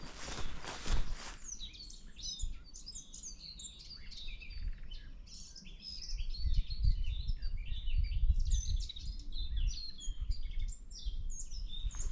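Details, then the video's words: Likely garden warbler (Sylvia borin) in forest, 23 April 2024, spring migration, possibly early arrival: fast, continuous rambling warble without the blackcap's flute-like ending, first thought song thrush, over low rumble. "So I believe that could have been garden warbler, Sylvia Borin."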